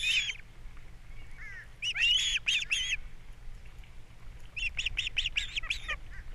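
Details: Captiva nest-cam ospreys on April 3, 2022, the male bringing fish and the female feeding chicks: clipped whistled chirps in quick sequences, one early slurred note, then a rapid run of evenly spaced cheeps.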